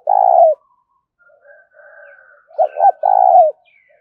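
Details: Spotted dove 'thúc' cooing: opens with a loud, long mellow coo, then faint soft murmurs. A sharp double-noted coo and another long, steady, falling coo follow. No other sounds intrude.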